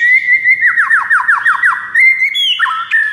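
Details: White-rumped shama song used on a silent bird: a steady whistled tone overlaid with a quick series of about eight falling slurred notes, then higher clear whistles stepping down.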